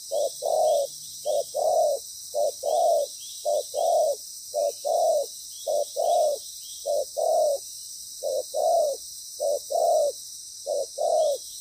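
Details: Spotted dove used as a loud-voiced decoy during ground trapping, cooing in a set pattern: a short low coo followed by a longer one, paired phrases repeated about every second, over a steady high hiss.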